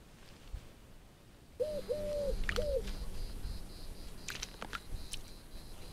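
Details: Wood pigeon (Columba palumbus) giving three soft, low hooting coos, short, long and short, after a quiet start, with faint chirps from small birds in the background.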